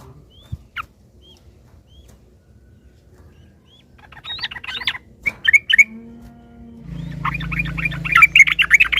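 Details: Yellow-vented bulbul chattering in excited bursts after a quiet start with scattered short calls. The rapid bubbly notes build toward the end over a steady low hum.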